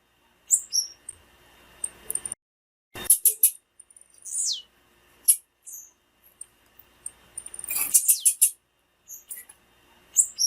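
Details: Female blue-black grassquit calling to stir up and stimulate singing in males: short, thin, very high chirps and twittering notes in irregular bursts, some sliding down, with brief silent gaps and a denser cluster near the end.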